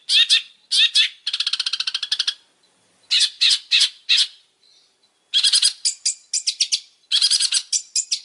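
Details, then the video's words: Long-tailed shrike singing vigorously: harsh rasping notes, a fast rattling series of buzzy pulses, then longer chattering runs of scratchy notes after a short pause. "Suara burung pentet super gacor"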